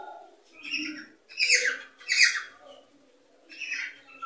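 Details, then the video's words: Cockatiel song aimed at encouraging mating and breeding; soft low chatter, then two loud harsh squawks in close succession, a quiet gap, and a final buzzy phrase ending in a short whistle. "صوت لتحفيز طيور الكوكتيل على التزاوج والإنتاج"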